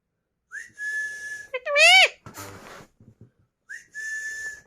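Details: Indoor green Alexandrine talking parrots: a rising-then-level whistle, a loud harmonic squawk, a short noisy mumble, then the same level whistle repeated.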